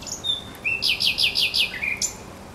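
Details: Thrush nightingale at the Żerań Canal, 24 April 2022, delivering a loud, clear strophe: a rising whistle, then five or six forceful, evenly repeated descending notes and a closing high whistle.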